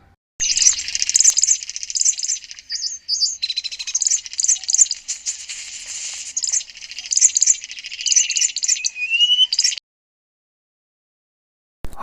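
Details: Southern Red Bishop (Euplectes orix) from Southern Africa singing: a high, dense, buzzy sizzle of rapid chattering notes running unbroken for about nine seconds, then silence.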